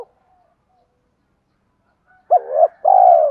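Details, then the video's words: Spotted dove coo used to rouse decoy birds. Faint soft notes come first, then after a quiet stretch one strong two-part coo: a short upswept note, then a longer gently falling one. "tiếng cu gáy thúc kích bổi tập mồi hiệu quả/ tiếng cu gay"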